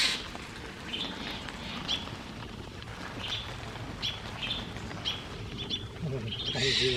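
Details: A Steller's jay gives harsh, scratchy notes about once a second, circling to threaten a Barred Owl perched in its territory and drive it away, over a low murmur of human voices. Langley, BC, 1 June 2024.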